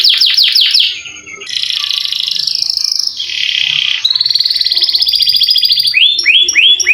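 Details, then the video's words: Canary singing long rolls, used to lure lazy canaries to sing: several quick downslurred notes, then dense buzzy rolling trills sustained for several seconds, ending with a series of repeated swept whistles. "KENARI GACOR NGEROL PANJANG COCOK UNTUK PANCINGAN BUNYI BURUNG KENARI YANG MALAS BUNYI"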